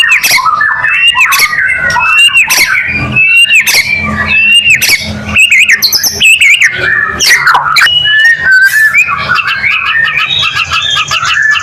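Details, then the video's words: Loud white-rumped shama lure song, played to make other shamas start singing; a long unbroken run of whistled phrases, quick downslurs, rattling bursts and squawky calls, with the pitch jumping about constantly over a low hum. "Murai batu gacor AMPUH buat PANCINGAN murai batu agar bunyi LANGSUNG NGEPLONG"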